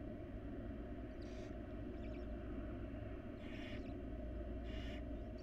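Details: Hissing begging screeches from wild barn owl chicks being fed by their mother in a nest box: three moderately loud bursts with faint chittering between, over a steady low droning background.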